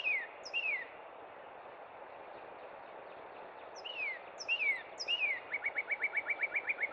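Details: Northern cardinal singing in spring at Cub Run: clear downslurred whistles, two early and then three more after a pause, finishing in a fast even trill of about a dozen short notes, over steady background hiss.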